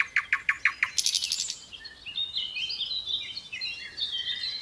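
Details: Little pied flycatcher song in gacor style: a fast series of sharp repeated chips followed by a high buzzy burst and softer warbling twitters, with steady hiss behind.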